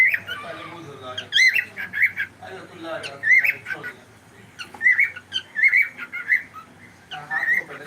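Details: Pet cockatiel calling almost without pause, a dense run of rough squawks and wavering whistled chirps filling the whole stretch.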